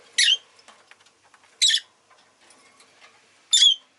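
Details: Rosy-faced lovebird kept as a pet, giving three loud, harsh, broadband chirps spaced about one and a half to two seconds apart, with faint clicks and soft background noise between them.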